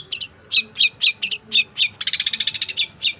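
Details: Tutor song of a long-tailed shrike for other songbirds: clipped chirps roughly three per second, breaking into a fast rattling trill before a final single note.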